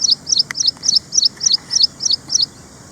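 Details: Ashy prinia (Prinia socialis) calling in a steady run of about nine high, slurred notes, evenly repeated several times per second.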